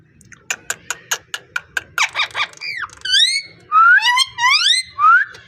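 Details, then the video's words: Beautiful parrot voice starting with a row of evenly spaced sharp clicks, shifting into buzzy notes and then swooping, rising whistled calls. "Amazing parrot beautiful talking and voice"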